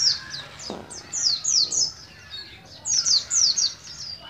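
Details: Oriental white-eye from Moga, Pemalang, Central Java, Indonesia, a kept bird just beginning to learn the ngalas ngeroll song style: high, thin, slurred descending chirps in quick bursts, two phrases split by a short pause, with a faint click.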